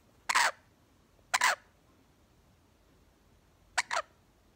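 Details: A pet monk parakeet (Quaker), jealous of a lorikeet, gives four harsh, raspy squawks, each a fraction of a second long, in uneven pairs over about four seconds.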